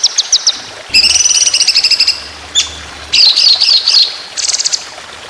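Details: Competition-style white-rumped shama song with long rapid 'tembakan' phrases: short high trills, a harsh buzzy rattle with a lower band, then loud squeaky slurred notes and a brief bright trill.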